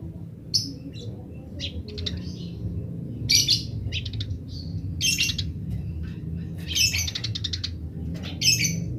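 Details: Wild Eurasian tree sparrows in rapid 'grece' chirping, answered by other wild sparrows: bursts of high, buzzy chirps repeated at irregular intervals, with short quieter chips between, over a low steady background hum.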